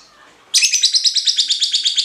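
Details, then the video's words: After half a second of quiet, a Cinderella lovebird bursts into fast, regular high-pitched chirping, roughly eight pulses a second, meant as a lure that gets other lovebirds singing for training. "Pancingan ngekek lovebird cinderella cocok buat masteran"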